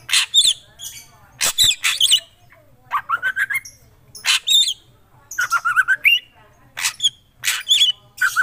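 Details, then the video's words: Black drongo singing lively and continuously: repeated phrases of harsh bursts mixed with high whistled notes and short chattering runs, about eight phrases over several seconds, over a low hum. "Srigunting krantil gacor"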